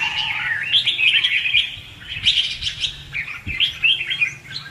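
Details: Red-whiskered bulbul competitive song for luring birds into traps: warbled whistled phrases with a dip around the middle, then bursts of quick rising notes, over a faint low rumble.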